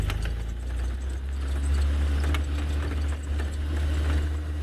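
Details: A steady low idling vehicle engine hum runs throughout, with a few faint mechanical clicks and no animal calls.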